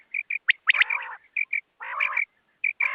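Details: Female quail calling: short clear whistled notes, evenly repeated, broken by harsher rasping bursts, with pauses between phrases.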